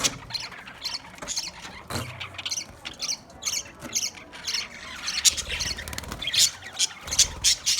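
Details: Budgerigars, green birds, giving busy squawking chatter: bursts of harsh, scratchy notes and chirps overlapping, loudest near the end, with low thumps and rustling between.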